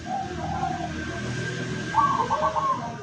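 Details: Local zebra dove kept as a decoy to lure wild doves, recorded 17 August 2023: one short burst of rapid, pulsed cooing near the end, over a steady low hum and broad background hiss.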